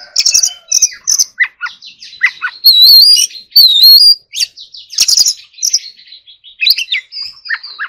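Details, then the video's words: Oriental magpie-robin in song training, forest-voice style, delivering clipped chirps and buzzy bursts with two long pure whistled notes in the middle, then varied scratchy and whistled phrases. "choè than hót giọng rừng"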